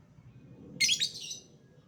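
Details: A lovebird gives a single loud grating chatter burst of about half a second, high and buzzy, above low room rumble.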